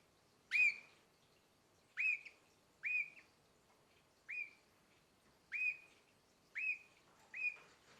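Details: Canary about nine months old giving short, bright upslurred chirps, seven notes spaced roughly a second apart, fairly quiet against a faint hiss.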